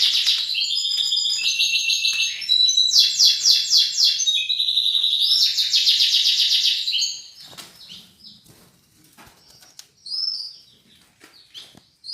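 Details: Local home-bred canary singing fast buzzy trills and rolling chatter in long bursts for about seven seconds, followed by quieter scattered clicks and a short final trill.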